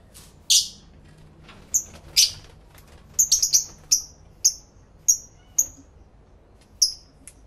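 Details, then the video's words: Several pet lovebirds singing and talking among themselves, taped in stereo through two external microphones on a camera: scattered shrill, clipped chirps, some in quick clusters of three or four, spaced irregularly across a quiet room. "1 Hour Lovebird Sounds High Quality Stereo Live Recording V3"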